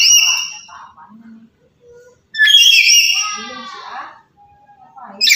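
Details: Black-capped lory from Papua, a talkative bird, calling loudly to provoke other birds. A sharp shriek is followed by a long, harsh, descending call, with soft mumbling notes between.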